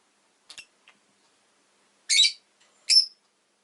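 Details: Pet rosy-faced lovebird making a few soft ticks, then two loud, high, rasping chirps about a second apart.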